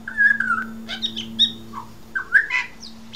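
Pied butcherbird giving a varied run of rich, fluty whistled notes, some sliding and some short and clipped, over a steady low electrical hum.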